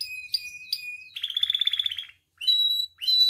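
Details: Vigorous captive canary song used to train and provoke caged canaries: a few slurred whistles, a fast pulsing rattle, a short silence, then clear steady whistled notes.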